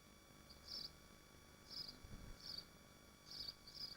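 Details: Nesting swifts in Machynlleth, Dyfi Biosphere, produce short high squealing bursts, about five of them spaced unevenly, with a low rumble and steady hum in the background.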